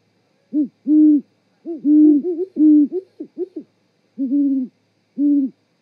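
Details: Mating duet of a great horned owl pair at an osprey nest in Charlo, Montana, evening of 7 February 2018. Low hollow hoots in irregular groups, with one bird's slightly higher notes interleaved among the other's, separated by brief silences.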